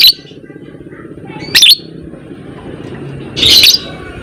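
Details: Lovebird of fighter type in a lure recording for long chatter; three scratchy shrieks, the last longer and noisier, separated by quieter stretches of low rumbling background.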